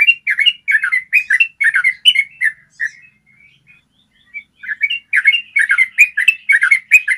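Yellow-vented bulbul giving a long run of bubbly, chattering notes in quick succession, broken by a brief softer pause midway before the lively trilling resumes.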